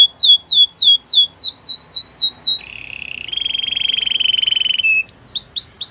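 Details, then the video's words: White canary song for training: a string of quick downslurred whistles, then a steady buzzy rolling trill held for about two seconds, ending with more sweeping whistled notes. "Canary training song | White canary singing with beautiful melodies"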